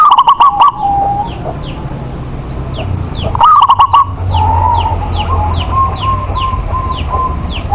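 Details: Lure zebra dove from Indonesia cooing to set off sluggish doves: two loud rolling phrases of quick pulsed notes, each trailing into a softer drawn-out coo, while another bird repeats short descending chirps in the background.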